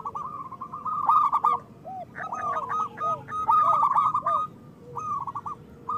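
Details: Local zebra doves singing, used as a lure to prompt slow doves to sing: bubbly, staccato cooing phrases of rapid repeated notes, with soft lower curved coos between bursts and several birds overlapping.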